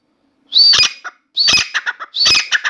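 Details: A newly kept Grey francolin singing continuously in a room gives three harsh, high, ringing phrases in under three seconds, each opening with a rising squeal and breaking into quick staccato notes.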